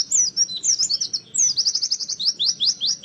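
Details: Lure song of an oriental white-eye, forest style, meant to make birds open their beaks and sing: a dense stream of thin, high, slurred chirps, mostly falling, delivered in quick bursts.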